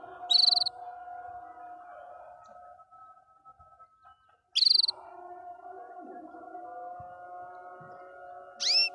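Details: Canary singing happily: two short, rapid, high trills several seconds apart, ending with a quick rising whistled note, over a steady low mechanical hum.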